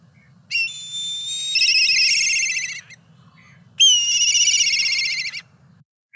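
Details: A Black Kite gives a song motif of two high, quavering whinny phrases, each about two seconds long with a shaky, trilled edge, separated by a short gap. A faint low hum runs underneath.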